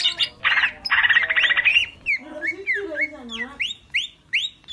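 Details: Greater green leafbird, a male in continuous full-on song used as training material for other birds: a harsh buzzy rattle gives way to a run of clear, rising whistled upslurs and a few lower, wavering whistles.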